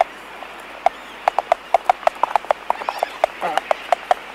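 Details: Laysan albatross in a colony, recorded close: rapid sharp clicks in an irregular series of about twenty in four seconds, with faint distant calls of sooty terns in the background.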